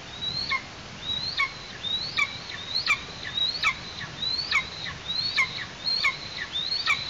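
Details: Eastern imperial eagle chick at a nest in Tatarstan, August, parents bringing prey: a rapid series of about nine high, thin whistled calls, each sliding upward then dropping sharply, repeated under a second apart over steady background hiss.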